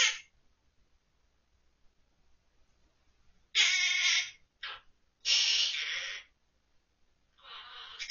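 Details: A caged monk parakeet in October 2023 sings children's songs it remembers, such as San Tokki and Ppo Ppo Ppo. Long, harsh, buzzy syllables come between quiet gaps, and a softer phrase trails off at the end.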